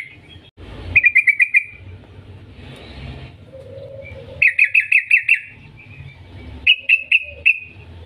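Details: Yellow-vented bulbul lure song meant to make other bulbuls sing: quick bubbly note runs of five to seven notes, repeated after gaps, with a passing vehicle rumble in the background.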